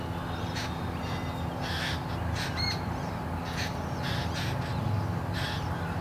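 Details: Two hungry Jungle Babbler hatchlings, fallen early from their nest in a bamboo thicket, beg noisily for a parent's attention with wide-open beaks. Harsh, raspy bursts repeat about every half second over a steady low background hum.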